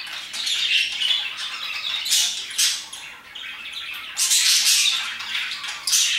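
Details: Several parakeets chirp and squawk around 2pm, harsh buzzy bursts rising and fading in waves, the loudest flurries near the middle and end, all voices overlapping continuously.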